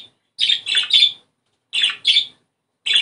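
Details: Budgerigar calls used to encourage breeding. Loud, bright, high chirps come in pairs and triplets, each short and slightly buzzy, with clean silences between the groups.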